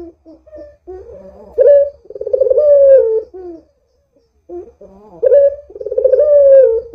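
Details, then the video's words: Vocal Barbary dove used to lure doves into calling, giving two repeated coo phrases: quiet low notes, an abrupt higher note, then a vibrating roll merging into a prolonged, downward-sliding coo. "Suara Burung PUTER Gacor ini Paling Ampuh Untuk PANCINGAN Puter Agar BUNYI"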